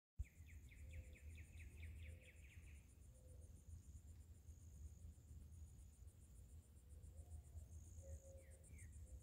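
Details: A Bachman's sparrow in southeastern Florida gives a quick, even trill of about a dozen mid-high notes over two and a half seconds, with a steady high insect drone and low rumble throughout.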